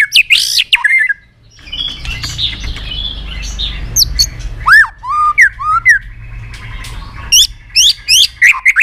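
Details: White-rumped shama, excited and flicking its tail, gives strong slurred whistles and a burst of rapid chips, then clicking notes over a low hum.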